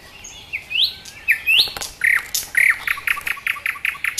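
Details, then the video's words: Nightingale in Dubki park, Sestroretsk, Saint Petersburg, singing loud upslurred whistles, then pure held notes and a fast run of sharp repeated clicks, about two per second. "Соловьи поет очень красиво-The nightingale sings very beautifully!!"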